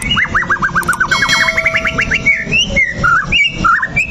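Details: White-rumped shama song used to provoke it into fighting: a fast series of about twenty repeated, sharply rising whistled notes, followed by varied looping whistles, over a low background rumble.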